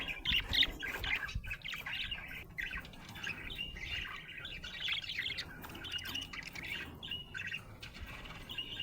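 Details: Happy budgerigar chirping steadily: continuous soft warbling chatter with a few sharper chirps at the start, over low background noise.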